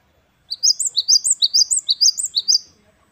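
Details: Great tit (Parus major), called gelatik batu wingko, singing vigorously in the wucit-wucit kristal style: about seven quick high two-note phrases, each rising then falling, run together for two seconds in otherwise silent surroundings.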